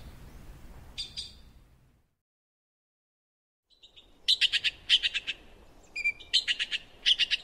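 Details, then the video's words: Azure-winged magpie: one short burst of scratchy notes, then a silent gap, followed by a fast run of harsh chattering notes with a few thinner, higher calls mixed in. "Сорока лазоревая. Голоса птиц"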